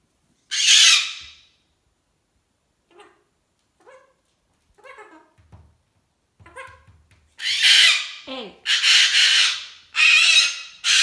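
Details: Hormonal pet cockatoo having a tantrum: one harsh scream, then quieter scattered chatter and clicks, followed by a burst of loud, repeated raspy screams.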